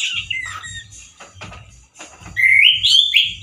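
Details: Loud male orange-headed thrush: after scattered faint notes and rustling clicks, a strong, rising whistled phrase with harsh buzzy edges fills the last second, low knocking sounds underneath.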